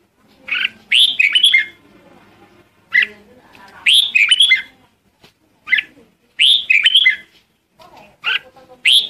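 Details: Red-whiskered bulbul calling its flock, giving short bright warbling phrases of liquid whistled notes, repeated roughly every one to two seconds with brief gaps, plus faint low chatter underneath.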